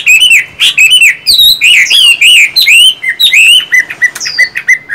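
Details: Captive Chinese hwamei, one of a singing and fighting pair kept in the same home. Energetic whistled song of swooping, rising and falling notes in quick series, ending with clipped repeated whistles.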